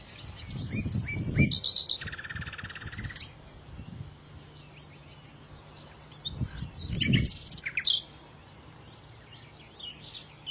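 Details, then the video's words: Chirping birds: sharp high calls and a steady buzzy trill lasting about a second and a half, later more bursts of chirps, with low thumping background noise and a faint hum. "إذا كنت تعشق سماع تغريد العصافير فلا تشتري قفزا فديو لعشاق تغريد العصافير"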